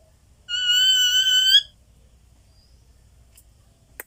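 A rose-ringed parakeet gives one steady, harsh, nasal call about a second long, rising slightly at the end, then silence with a faint click.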